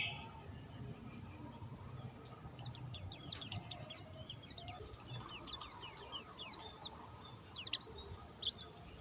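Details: White-eye singing without stimulants: after a quiet start with faint hiss, a thin, high twittering of quick slurred notes builds up and grows steadily louder.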